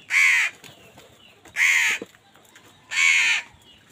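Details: Three loud, harsh caws from crows squabbling with wild birds over food, each roughly half a second long and spaced about a second and a half apart against a quiet background.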